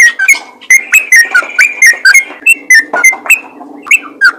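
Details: Yellow-vented bulbul calling to stir other bulbuls into song: spaced, sharp, slurred whistles and chirps, roughly one to two per second, each note bright and slightly downslurred.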